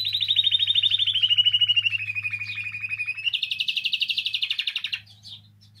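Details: Canary singing, offered to encourage canaries to sing: a long rapid rolled trill slowly descending in pitch, then switching to a higher, faster pulsed trill before stopping; steady low hum in the background.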